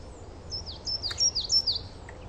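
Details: Coal tit singing in a garden, one of several song variations: high, thin whistled notes with quick down-slurred phrases, repeated in a short run of about five notes.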